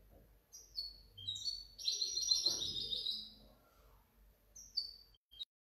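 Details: European goldfinch hybrid, 2019–2020. Brief high chirps come first, then a dense burst of fast twittering, then a few thin whistled notes near the end.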